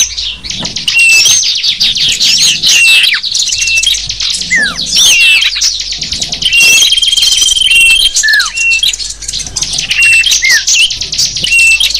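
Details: A busy chorus of small birds used as a lure to attract wild small birds: high, overlapping chirps, trills and short whistled notes run continuously, with a few longer whistles and down-slurred calls.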